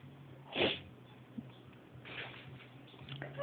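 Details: Pet male citron-crested cockatoo being put to bed at night, resisting sleep: one short harsh screech, then a rougher, softer squawk a second and a half later, as a person talks quietly to him in a small room.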